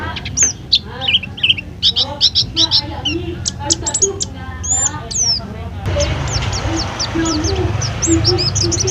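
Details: Mountain white-eye kept at a food stall, giving rapid high whistled and chirping notes in quick varied bursts, with a steady low hum and background noise growing louder in the second half.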